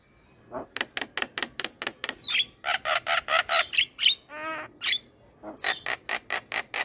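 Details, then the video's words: A master recording of an adult Javan myna, used to prompt a young Javan myna to sing: a fast run of harsh, scratchy notes, about four a second, with a few clear whistles and a brief buzzy rattle. "Pancingan Jalak Kebo Muda Dengan Suara Jalak Kebo MAsteran"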